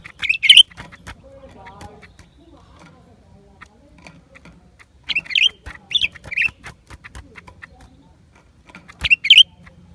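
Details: In January 2023 a lesser green leafbird sings clusters of rapid, high, squeaky chirps, one burst early, a group of three mid-way and another near the end, amid scattered sharp clicks.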